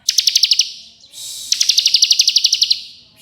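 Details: Bar-winged prinia 'ngebren' song: two bright, evenly spaced trains of crisp high ticks, the second longer at about fifteen notes, separated by a hissing pause.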